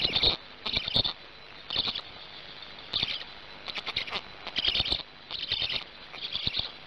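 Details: Young black stork at its nest in Gemenc, Hungary, recorded by a nest camera on 10 May 2019 after managing to swallow a huge fish; short rasping high bursts in clusters, roughly one per second, with clicks and knocks between.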